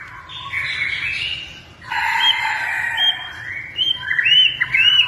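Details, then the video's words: Kept white-rumped shama, pied 'blorok' type, in full song: loud varied warbling phrases, rich and slurred, broken by a brief pause, then ending in clear high upward whistles. "FULL GACOR - MURAI BATU BLOROK"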